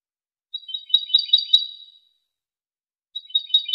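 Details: Goldfinch song for training, recorded in 2023: a burst of dry, jangling twitters that builds in loudness and fades away, followed after a pause by the start of another similar phrase.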